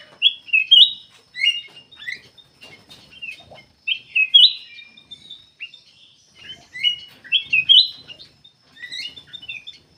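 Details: Black-capped bulbul giving lively whistled phrases, about 17 a minute, each a quick rising and falling run of liquid notes; the song is said to be good for luring other birds into singing.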